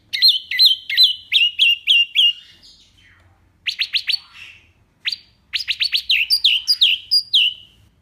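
A wambi fires off rapid bursts of sharp, high, downslurred notes, several per second, separated by brief pauses; no other sounds stand out.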